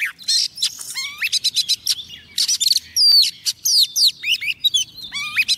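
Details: Female Oriental magpie-robin decoy singing to call in a male: a dense, varied outpouring of sharp chips, rising whistles, slurred downsweeps and rapid trills with barely a pause.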